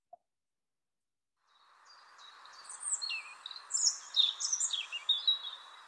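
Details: A European Robin sings a high, twittery, hurried phrase of many quick varied notes that dip and rise, over steady background hiss. It sings faster than a blackbird, improvises each phrase and leaves big pauses between phrases.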